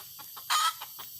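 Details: Red junglefowl call: one short, harsh, loud cluck rising out of quiet surroundings, with fainter soft clucks before and after.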